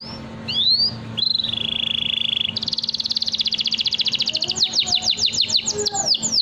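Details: Canary singing a long 'nembak' song suited as a lure for young canaries: two rising whistles, a steady buzzy trill, then a fast high rattle of rapid notes and sweeping upward whistles.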